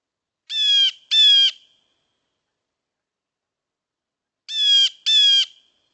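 Blue jay giving harsh, shrill paired 'jay-jay' calls, two quick notes, then a pause of about three seconds before another pair; nothing else heard.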